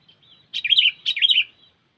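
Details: Two lively bursts of chirpy, slurred whistles from a sooty-headed bulbul used to lure birds for trapping, each phrase starting with a sharp note and tumbling downward.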